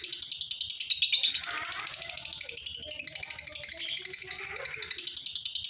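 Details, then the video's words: Lovebird ngekek: a continuous, fast, rattling chatter of high pulses, evenly repeated without a pause, with soft low thumps in the background of a small room. "Awal dan Akhir Suara Lovebird Ini Tetap Ngekek"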